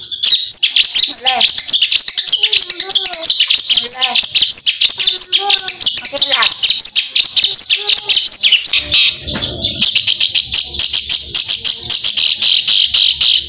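A long-tailed shrike pours out a loud, dense, high chattering song with rapid harsh notes and mimicked phrases, broken by a brief burst of noise midway.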